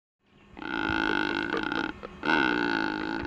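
A Secretarybird gives two deep, harsh, groaning croaks, each about a second long, separated by a brief pause.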